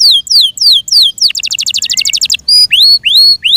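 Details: Captive Yorkshire canary singing spaced falling whistles, a quick burst of rattling high notes, then rising and flat clear whistled notes.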